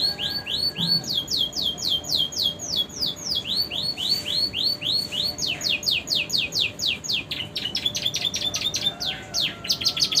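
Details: Romeo canary singing a long song with prenjak and ciblek imitations, bird in new feathers: continuous series of high downslurred whistled notes at a fast steady pace, shifting into quicker clipped chirps.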